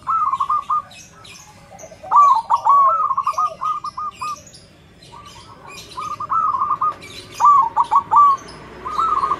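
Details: Zebra dove (perkutut) with a big, loud voice, played to train other perkutut to sing, gives repeated short cooing phrases of quick stuttering notes every second or two, while small birds chirp faintly in the background.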